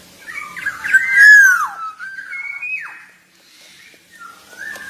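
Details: Javan golden oriole, a black-naped oriole, in vigorous song. A clear, liquid whistle swoops down, is followed by short fluty notes and a falling slur, then a soft closing whistle.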